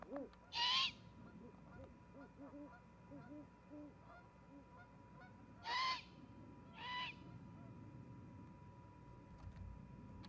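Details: Osprey chick at a nest in Charlo, Montana, on 26 September 2021: three loud, sharp, piercing whistled calls spaced several seconds apart, with softer low hooting sounds and steady background hum.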